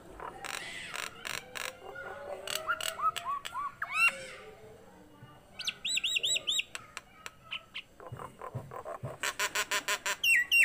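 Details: Lively song from a captive, tame Nias hill myna: rapid harsh clicks, a series of looping whistled notes, high bubbling warbles midway, then a long string of rhythmic sharp chacks ending in a whistled flourish.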